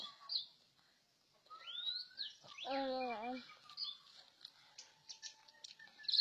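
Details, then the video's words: An orange-headed thrush sings intensely in varied phrases: a rising clear whistle, then a rich buzzy descending note with stacked harmonics, amid faint high chirping from other birds. "Anis Merah Teler Kagak Ketulungan"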